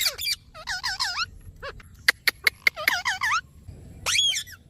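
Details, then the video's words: Parrot (mithu) uttering quick runs of wavering, buzzy squawks, interrupted by several sharp clicks or taps, then a final shrill rising screech. "Parrot sound mithu"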